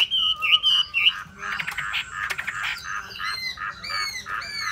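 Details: Hwamei singing: loud warbled whistles around the start, then a busier, blurred stretch of overlapping notes, ending with clear rising and falling whistled phrases with bright overtones.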